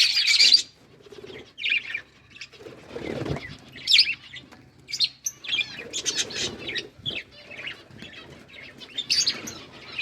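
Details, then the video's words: Pet budgies eating green food, with scattered bursts of high chirps and scratchy notes separated by gaps and soft rustling movement. "Budgies parrot eating green food birds chirping sounds"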